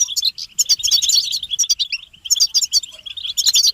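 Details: Goldfinch group twittering, known locally as butbata, used to rouse silent males into song: lively clusters of sharp chirps and sweet trills, briefly thinning near the middle before resuming.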